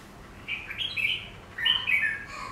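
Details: Captive black-throated laughingthrush (Garrulax chinensis), placed before a mirror to see its reaction, giving two quick bursts of rich, warbling whistled phrases, each under a second, fairly high and slurred up and down.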